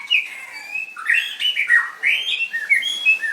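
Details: Contest-winning white-rumped shama in full song: loud, warbling whistled phrases that rise and fall quickly, broken into short bursts about once a second, with a fainter second singer behind.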